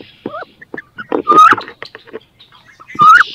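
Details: Two female wood ducks clash in a nest box, each wanting to lay eggs there; a softer rising double cry, then two loud squealing upslurs amid taps and scraping.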